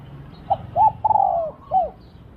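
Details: Spotted dove used to lure wild doves, singing a crisp phrase of a short hoot, an arched coo, a long wavering descending note and a last curved coo, with quiet background.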